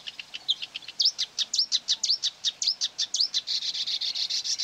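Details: Singing against a played-back recording near quarry workings, 9 May 2020, a Marsh warbler delivers a fast series of repeated high clicks and upslurred whistles, ending in a dense buzzy trill.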